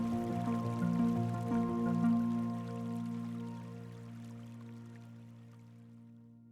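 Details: Soft, sustained musical tones with gentle dripping accents fade away, and no animal calls can be heard.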